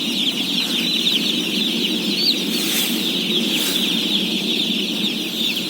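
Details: Mass peeping of day-old chicks during feeding in a flock of some 17,000. A shrill, unbroken wall of high chirps fills the recording, with two short broadband rustles midway and a low murmur underneath.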